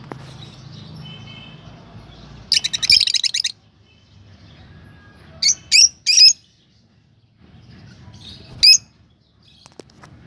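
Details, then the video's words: A lovebird gives a quick rattling series of squeaks, then three separate sharp chirps and one more after a pause, over low background rumble. "love birds voice message sounds chirping sound"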